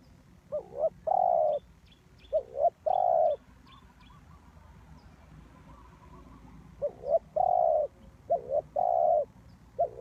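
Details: Spotted dove kept as a lure bird for trapping, cooing in four separated phrases, each two quick rising-falling notes then a long steady low croon, with silent pauses between and faint high chirps from other birds.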